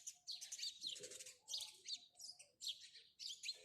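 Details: A house sparrow chirps steadily, loud buzzy chirps coming in tight bursts about every half second, clear against a quiet background.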